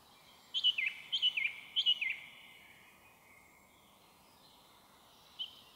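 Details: Song thrush singing in woodland near a snow dump, evening of 1 May 2023; one bright twisting phrase repeated three times in a row, roughly every half second, then silence and a faint distant note.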